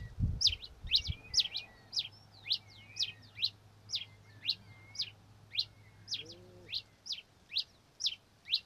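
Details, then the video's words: A Red-crested Finch (Coryphospingus cucullatus) gives a steady series of high, thin, sharp chip notes, about two per second, with a faint low hum and a brief low sound midway. "O Canto do TICO TICO REI (Coryphospingus Cucullatus) Bird Song - Red Crested Finch"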